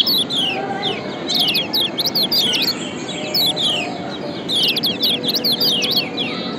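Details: A mix of chirps from the yellow white-eye of Lombok, played to spur reluctant birds into singing. Quieter clusters of high, quick, slurred notes come in short bursts with pauses, over steady low background noise.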